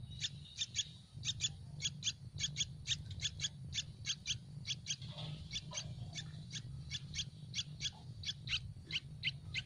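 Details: Yellow-vented Bulbul nestlings, hungry in their tree nest, begging for food: a long run of sharp high chirps in pairs and triplets, evenly spaced, above a constant low rumble.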